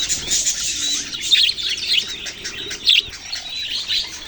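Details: Young budgerigars chatter in busy, high-pitched chirps and squeaky tweets, irregular and overlapping, with a few sharper peaks standing out.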